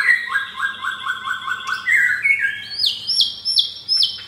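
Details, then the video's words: Fourth-generation captive-bred blorok white-rumped shama, caged in Jakarta, singing harsh-style material: a fast series of repeated stepped whistles climbing in pitch, then loud high notes repeated roughly every half second. "Murai Batu F4 Blorok Materi Kasar"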